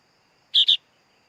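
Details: A single harsh two-part rasp from a sooty-headed bulbul chick, short and buzzy, with a faint steady hum behind it.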